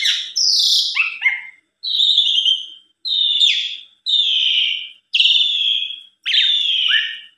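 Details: Lure song of an Asian pied starling, used to set other starlings singing: a mixed opening phrase, then a series of similar buzzy, falling whistled notes repeated about once a second.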